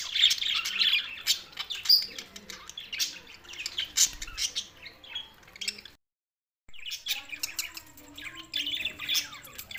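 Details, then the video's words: Budgerigars recorded 7 June 2024 chattering with squawks and chirps, interrupted by a brief complete silence before the chatter resumes more softly. "lonely Budgies Barids"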